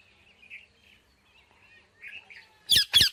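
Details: Indian ringneck parakeet giving quiet twittering chirps that build to two loud, grating squawks close together at the end.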